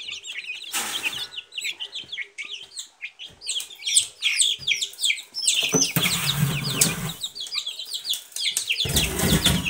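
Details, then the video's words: Silkie chicks chirp in a lively high chorus of brief falling peeps, interrupted by loud broadband scraping and rustling noises. "Цыплята шелковые"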